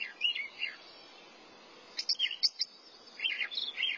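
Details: Singing thrasher delivering separate short phrases of slurred, warbling notes with pauses between them, each cluster of notes sharp and varied, with light background hiss.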